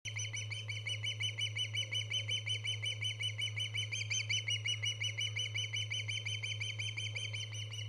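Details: Osprey on a nest camera, 24 August 2014, giving a steady run of high, whistled chirps, about three per second, each a quick rise-and-fall note, with a constant low electrical hum beneath.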